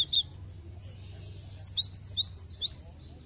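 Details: Cinereous tit song used as a lure to get other birds singing readily: one short high note, then after a pause a quick run of five sharp, high, down-slurred whistled notes, with a low steady hum beneath.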